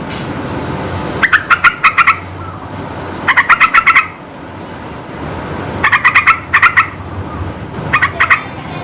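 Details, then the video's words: Yellow-vented bulbul in full lively song, played to rouse young or silent bulbuls into singing back; clipped bubbly notes in quick runs of four to six, bursts spaced one to two seconds apart, faint steady noise underneath. "Suara burung trucukan gacor nembak ngebren memikat emosi trucuk bahan bakalan macet biar cepat nyaut"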